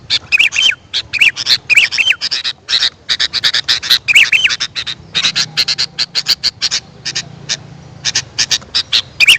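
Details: Sooty-headed bulbul calls played as a lure to attract wild birds: dense, harsh chattering bursts, many in quick succession, mixed with a few short whistled notes that rise and fall, over a faint low hum.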